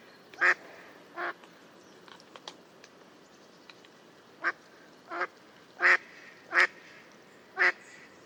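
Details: Mallard in the wild quacking repeatedly: about seven loud, raspy, nasal quacks spaced unevenly over several seconds, with faint soft clicks and chatter between them.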